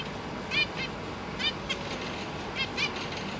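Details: A caged zebra finch pair with three juveniles and three newly hatched young give short, nasal, stacked calls in pairs and clusters, several within a few seconds, over a steady low background hum, while the parents busily feed their babies.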